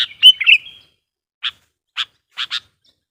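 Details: A sooty-headed bulbul used as a lure for wild birds: a quick, jumbled warbling phrase, then four short, harsh chips, the last two given as a close pair.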